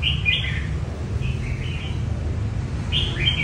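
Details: Red-whiskered bulbul in competition training song: three short, bubbly whistled phrases about a second apart, each slurring down in pitch, over a steady low rumbling hum.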